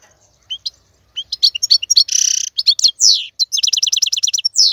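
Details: European goldfinch male giving tutor song for young birds to learn. High, rapid liquid twittering with a harsh buzzy rasp in the middle, then quick repeated chirping notes and a final downslurred note.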